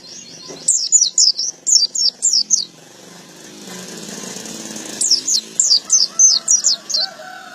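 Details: Male white-eye (pleci) giving two bursts of rapid high down-slurred chirps over a steady low background rumble, the singer pausing a couple of seconds between bursts; ngalas ngeplong style.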